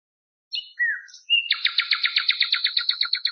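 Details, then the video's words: Common nightingale song phrase prepared for tutoring Moroccan garden bulbuls: a few separate high whistles and a slurred note, then a fast, rhythmic rattle of repeated notes that gradually slows and thins out. "شريط تغريد طائر العندليب لتلقين البلبل المغربي CD chant rossignol philomèle pour bulbul des jardins"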